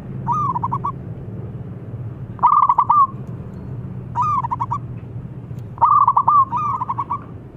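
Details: Zebra dove of local stock, its loud luring call a series of mellow stuttered coos in short rolling bursts, roughly three seconds apart, with constant low rumbling noise behind.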